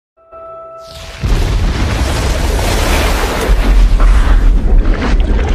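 After a second of faint steady tones, a loud, continuous booming roar of broadband noise fills the rest of the recording, with no animal call audible.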